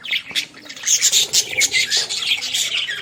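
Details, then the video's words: Australian parrots chattering in a village: rapid high squawks and scratchy twittering overlap in a busy, unbroken stream. "Australian parrot original sounds"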